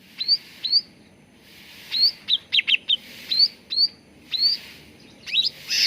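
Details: Cucak ranting bulbul song used as a lure to get birds singing: short bright whistles rising then hooking over, spaced about a second apart, mixed with quick clipped chip notes near the end.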